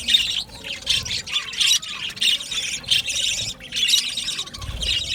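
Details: Budgerigars calling together in an aviary colony, a dense chorus of scratchy, warbling chirps and squawks overlapping without pause, with brief quieter gaps.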